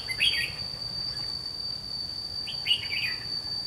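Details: Red-whiskered bulbul decoy bird used to trap wild bulbuls, giving two short warbled phrases of bright, tumbling notes about two and a half seconds apart, over a steady high insect-like whine and faint background hiss.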